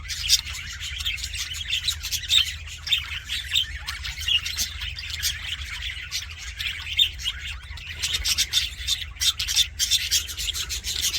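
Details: Budgies sounding happy: continuous lively chatter of chirps, squeaks and squawks, many overlapping notes, busy without pauses for the whole stretch, steady low hum underneath.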